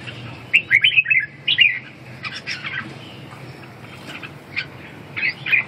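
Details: Red-whiskered bulbul giving short bright warbled phrases in bursts near the start, middle and end, with quieter chirps between and a low steady hum underneath.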